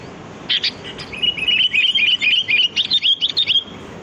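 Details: A wild sooty-headed bulbul's lure song. A sharp opening note is followed by a long, busy run of quick, high, twisting whistled chirps lasting about two and a half seconds.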